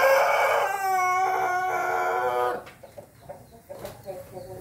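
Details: Ayam Ketawa rooster crowing on 20 May 2024: a loud, long harmonic crow of about two and a half seconds, broken into rapid pulsing segments in the middle, followed by quieter scattered clucks and knocks.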